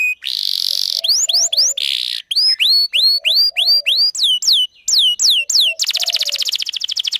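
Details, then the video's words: Canary singing to lure males and train young birds: buzzy bursts alternate with clear upward-slurred whistles repeated about twice a second, ending in a rapid rolling trill. "Kenari gacor panjang Cuit Cuit EMOSI, Pancingan Kenari Paud Belajar Bunyi"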